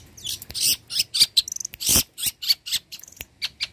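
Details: Long-tailed shrike singing vigorously and copying other birds. Dense scratchy notes, short chatters and harsh buzzy bursts come in a jumbled, fast-changing sequence, with some brief clear whistled tones.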